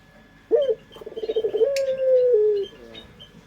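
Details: Local puter pelung dove, a pet variety, cooing as a lure: a sharp rising note, then a rapid rolling purr that flows into one long, steady, slightly falling drawn-out coo, with faint chirps from small birds in the background.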